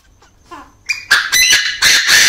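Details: Caged male Chinese francolin giving its crow in an aviary where a female also clucks: faint soft notes, then a loud, grating series of three or four harsh bursts that run together and end abruptly.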